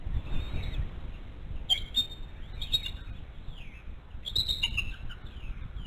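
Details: An adult female bald eagle, the mother at a nest with a one-month-old eaglet on a live eagle cam, gives three bursts of high, thin chittering whistles that slide downward, about a second apart, amid low wind rumble and faint forest birdsong.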